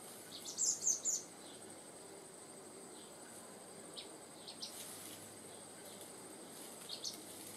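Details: Eurasian blackbird young being fed with Omegas at Raumati give a burst of shrill, very high squeaks near the start. A few faint, thin peeps follow later over a low background hiss.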